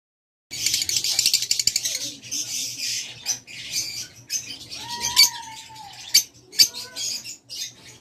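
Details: Caged Fischer's lovebird of the violet parblue colour mutation giving harsh, shrill chattering squawks in rapid bursts, with a lower drawn-out whistle from another bird midway and faint background noise.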